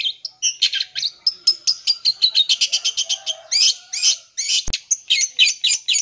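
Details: Long-tailed shrike mimicry-filled song played to stir up young birds: quick successive high notes and short whistles in a steady chattering stream, broken by rasping buzzy phrases and a sharp click near the end.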